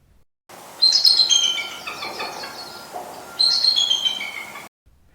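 Bald Eagle giving two bursts of thin, high, stuttering chirps that tumble downward, gull-like but squeakier than expected for so large a bird.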